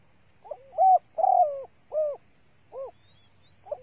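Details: A female spotted dove coos to stir up males, used as a lure: a soft lead-in note, then deep rounded coos with one drawn-out descending note, followed by two spaced coos and a fresh start.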